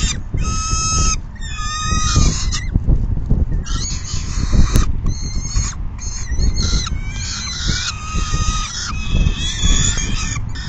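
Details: Peregrine falcons at the nest during a full feeding in June 2022, one bird leaving once full. Bursts of hoarse, wailing calls come and go with short breaks over ten seconds, with a steady low wind rumble.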